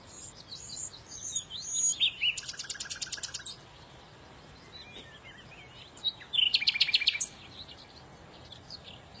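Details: Several small birds twittering: high thin chirps, then a rapid buzzy trill of around a second, a pause with faint chips, and a second loud rattling trill, all above a soft constant hiss.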